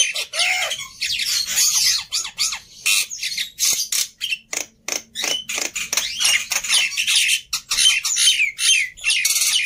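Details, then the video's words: Black-winged myna singing hard, a lure recording to set other birds singing: a continuous medley of grating squawks, chatters and slurred whistles, with a steady run of clipped harsh notes midway. "Sangat Ampuh Memancing Burung Jalak Putih Bahan Cepat Bunyi Anti Mandek || Jalak Putih Gacor"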